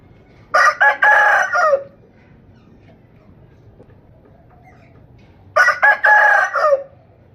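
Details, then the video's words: A domestic rooster gives two full crows about five seconds apart. Each is a raspy, broken-then-drawn-out cock-a-doodle-doo of roughly one and a half seconds, with near silence between. "Amazing Rooster Crowing Compilation"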